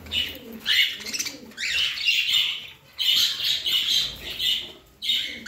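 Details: A pet parrot chatters in high, buzzy chirps run together into long phrases of about two seconds, separated by brief pauses, the notes harsh and slightly rasping.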